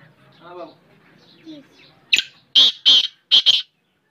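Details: Hand-tamed black francolin, called kala teetar, kept as a pet in Pakistan: after soft voices, four loud harsh clipped notes in quick succession, the last two close together.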